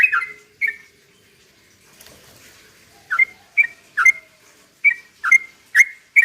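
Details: Sooty-headed bulbul giving a 'ropel pelan' song used to stir other birds to sing: two opening whistled notes, a quiet gap, then a run of short bright slurred whistles spaced roughly half a second apart.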